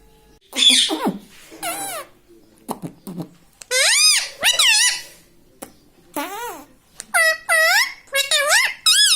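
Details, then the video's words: Talking pet ringneck parrot kept indoors gives a run of looping, wavering harmonic notes in short phrases, some grouped in pairs and triples, with soft room noise between them. "Talking Parrot || Mitthu Mitthu"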